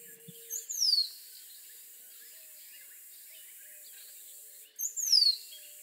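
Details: Two high, thin whistles from a rose-throated becard, each a short lead note then a long downward slur, spaced about four seconds apart over a soft background of distant bird chatter.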